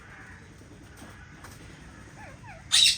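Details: Rose-ringed parakeet in an aviary, one of a pair that has found a nest: a single loud, harsh screech near the end after a quiet stretch with a few faint, thin chirps in the background.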